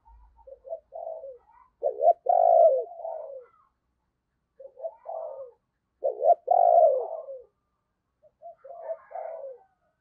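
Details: Decoy spotted dove, 'giọng sấm bầu' voice style, luring wild doves: two full coo phrases, each stepping through short hoarse notes into a loud long coo, followed by a softer partial phrase.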